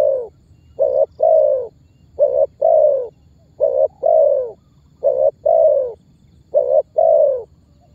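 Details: Lure recording of a spotted dove, its calling and pressing coos meant to prompt other birds to call and pull birds toward a trap; mellow low coos in regular short-long pairs, five pairs in steady rhythm, quiet background hum.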